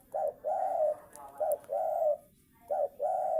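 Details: Spotted dove song: three pairs of a brief coo then a drawn-out steady coo, evenly paced, with light clicks and hiss behind.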